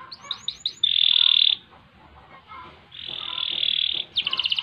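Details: Canary in full song, kept for training other birds: a few quick rising chirps lead into a long buzzy high trill, a pause, then another sustained rolling trill and a rapid run of sharp notes.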